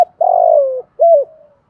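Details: One drawn-out, slightly buzzy coo sinking in pitch, then a shorter rounded coo, from a decoy spotted dove calling its flock in the morning.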